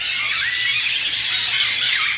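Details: A green-cheeked conure in an aviary gives harsh, high, grating screeches almost nonstop, with a Vasa parrot's calls mixed in among other aviary birds.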